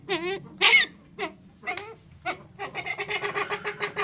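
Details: Captive Brown Eared Pheasant at a pheasant breeding farm, a tame bird sitting on a person's hands: a few harsh, nasal, wavering squawks, then a rapid series of rasping cackling notes at about three per second.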